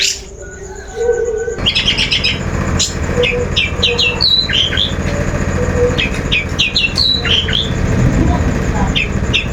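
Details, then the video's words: Long-tailed shrike song used as a lure to draw another bird into singing. After a low hum, a lively run of varied short chirps and sharp upslurred whistles follows, repeated in quick, irregular succession. "Suara Pancingan Burung Cendet"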